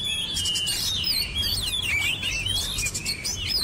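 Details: Oriental magpie-robin singing continuous twisting whistles and chirps against steady background hiss and hum.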